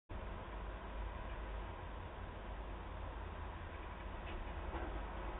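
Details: Low, continuous rumble of traffic or machinery with no animal sound.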